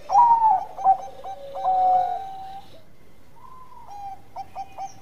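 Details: Bangkok-type zebra dove singing as a lure to prompt other doves to sing: clipped staccato cooing notes run into drawn-out, slightly falling coos, then a rising-falling coo followed by short stuttered notes.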